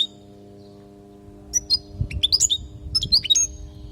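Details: European goldfinch from Palestine, training song for young goldfinches; after two seconds of near-quiet, a lively string of high tinkling twitters and short sliding notes, over a faint steady hum.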